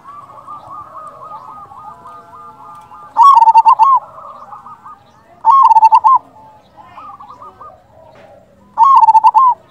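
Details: Zebra dove of a local strain giving a lure song to draw answers from other doves; three loud phrases of fast, bubbling coos, with quieter cooing from other doves filling the gaps.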